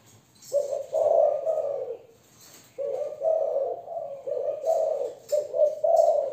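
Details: Young female Malaysian spotted dove cooing in the thổ voice style: two phrases of low, husky, mellow coos, each a run of three to four linked notes, separated by a short silence, with faint high hiss in the background.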